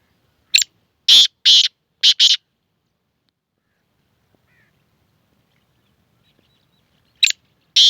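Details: Black francolin, a kala tetar, giving its dusri bolari call: loud harsh grating notes in a quick burst of five near one second, then silence, then two more rasping notes at the end.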